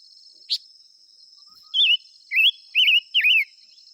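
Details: Silver-eared mesia singing: one sharp click, then four loud warbling whistled phrases, each wobbling up and down, given about half a second apart. A continuous high-pitched insect drone sits behind the song.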